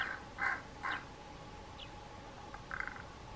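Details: Pied crow giving strange calls: two short, harsh, hoarse caws about half a second apart, then a brief high squeaky note and a faint rasping call near the end, over a low steady hum.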